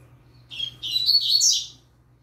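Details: Song of a young yellow-bellied seedeater kept with a green-winged saltator. It opens with a thin note, then runs into a quick tumbling series of high, bright, slurred twitters before ending abruptly over a low electrical hum.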